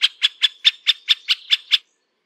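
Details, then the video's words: A middle spotted woodpecker (Dendrocopos medius) gives nine harsh, scratchy notes in an even run of about five per second. The notes are mid-high and stay level, with nothing else heard. "Middle Spotted Woodpecker - Sounds"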